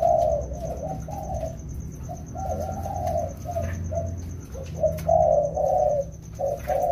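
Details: Two wild-caught spotted doves being trained during the rainy season, cooing in a string of rounded, low, hollow notes grouped into short phrases, with one louder burst near the end and a steady faint high tone behind.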